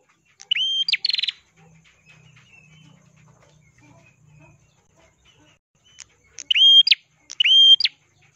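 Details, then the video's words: Ashy tailorbird, red-headed, in steady song for training other songbirds: an opening pair of upturned whistles with a short rattle, several seconds of faint low murmuring, then three clear level whistles with rising flicks. "burung prenjak kelawu gacor suara kristal cocok untuk masteran❗prenjak kepala merah❗"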